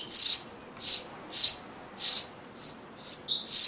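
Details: A Eurasian tree sparrow family in a garden nest box, summer 2012, site of a yearly breeding pair; loud high hissy chirps about every half second, several quieter shorter ones, then a short thin whistle before a final loud chirp.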